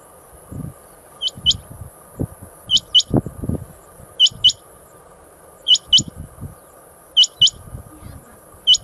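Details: Quail calling, paired high sharp notes recurring every second or so above a steady electronic whine and low thumping, rustling noises.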